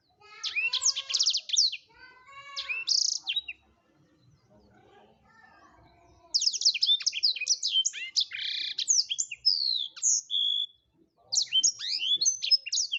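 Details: Blackthroat (black-throated canary) singing energetically: rattling high trills and stacked chirps, a brief quiet gap, then a long dense stream of sharp twitters, sweeps and buzzy notes.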